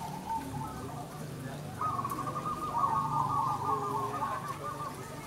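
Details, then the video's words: Perkutut, the zebra dove, in a local singing contest. After a brief soft note, a long fluttering, trilled coo holds steady for about two seconds, then fades, over low crowd murmur and hum. "Lomba Perkutut Lokal Croosing Gacor an Dan Rajin Bunyi || Merbok Turtledove Zebradove"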